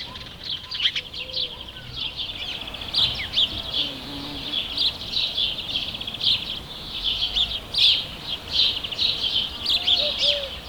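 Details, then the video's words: House sparrows calling with natural sound: a dense, continuous chatter of short, bright chirps overlapping throughout, several birds calling together, with a low background hum and faint lower notes now and then. "House Sparrow | Σπουργίτης with Natural sound"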